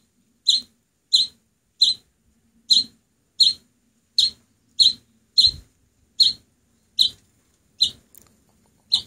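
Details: Rescued oriental greenfinch nestling, seven days after being picked up, now growing feathers and being raised indoors until release; harsh, buzzy begging chirps repeated about every 0.7 seconds, fourteen in steady series.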